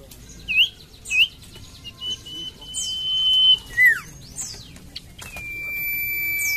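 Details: Common iora song: two short hooked whistles, then a long steady whistle dropping into a slurred note, and a final drawn-out lower whistle, with high sweeping calls around.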